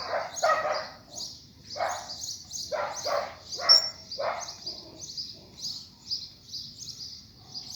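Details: Coleiro singing after rain: steady run of quick, high chirped notes, repeatedly overlapped by louder, lower harsh bursts from other sounds nearby.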